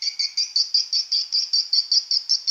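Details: Swiftlet full mating call recorded indoors, a sound rarely heard outside: rapid, high, buzzy chirps repeated about five times a second, each a dense twittering burst, with no other sounds.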